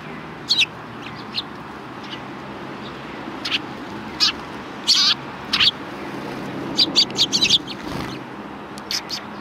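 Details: Sparrows chirp at a Tenmangu shrine on 3 January 2020, giving irregular high tweets and a few rougher, longer notes, clustering into a quick run near the end over distant ambient noise.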